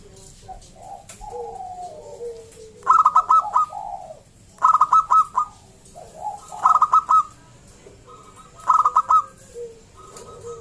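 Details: A local zebra dove (perkutut lokal) sings rapid, bright staccato coos in short bursts, each followed by softer, lower rolling notes, phrases repeating about every two seconds; used to lure other zebra doves into singing.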